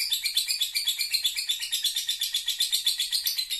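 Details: Caged lovebird performing ngekek, a long unbroken chattering song: fast, evenly repeated high, rasping notes, about four per second, sustained throughout.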